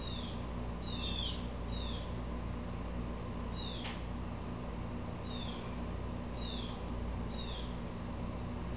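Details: Blue Jay, agitated, calling repeatedly with harsh descending notes, a fast cluster at the start and then single calls about every second, with a continuous low hum behind.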